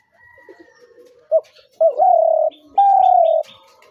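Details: Spotted dove: a quick short note, then two sustained level coos, with faint high chirps from other birds and a soft hum behind.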